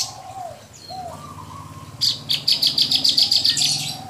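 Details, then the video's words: Javan bush lark, a caged bird with mottled plumage, singing energetically: soft low whistled slurs at first, then a quick train of about ten bright, high chirps. "Branjangan gacor dor"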